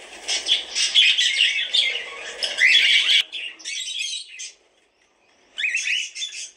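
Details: Cockatiels kept as pets give dense, high chattering chirps and warbled whistles, with possible wing flutters, then fall silent for about a second before a final burst of rising whistled chirps.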